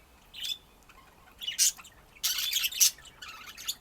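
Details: Pet budgerigar chattering: scattered high chirps, then loud harsh squawks and a dense raspy burst before more chirping.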